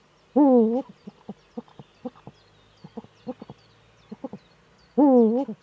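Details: On 4 May 2013 a male Eurasian eagle-owl courts in its nesting niche before a webcam in northern Rhineland-Palatinate, Germany. A loud undulating cry opens, scattered short soft notes follow, and a second wavering cry ends the sequence.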